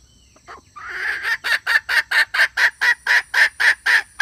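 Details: Red junglefowl hen, male-attracting call: a soft lead-in and a drawn-out rough note, then about twelve evenly spaced, harsh clucks, roughly two per second, each with a ringing, bright core.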